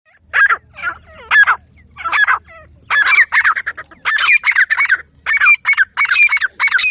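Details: Grey francolin, a ground-living bird of open cultivated land and scrub, calling: loud harsh repeated notes with rising and falling harmonics, coming in quick bursts that grow denser and more regular toward the end, with a low steady hum beneath.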